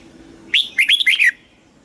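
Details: Southern master-style phrase from a caged red-whiskered bulbul in Thailand, meant to excite caged birds and train chicks. A short, bright burst of four or five ringing whistled notes, with quiet background before and after.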